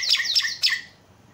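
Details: Javan myna screaming call, used to lure silent mynas into calling: three harsh, loud squawks in quick succession, each sliding downward, fading into quiet.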